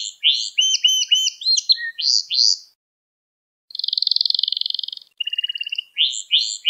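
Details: Gloster canary song meant to stimulate and train other canaries: bright varied high phrases, quick repeated notes and slurred whistles, a pause of about a second, then a steady buzzy trill and rattling rolls before the phrases resume.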